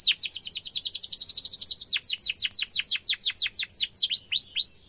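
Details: Canary rolling song played to train young canaries, very rapid descending notes in a tight trill slowing into wider spaced sweeps and ending with three rising whistles.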